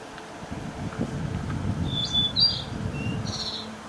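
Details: Blue-and-white flycatcher singing on 2 May 2013: short, clear whistled notes and slurred phrases high in pitch around the middle and end, over a steady low rumbling background.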